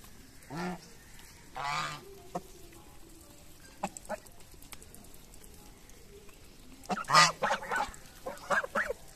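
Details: Geese feeding in the morning honk in two nasal bursts, then soft pecking clicks, and finally a cluster of loud, overlapping harsh honks and squawks near the end.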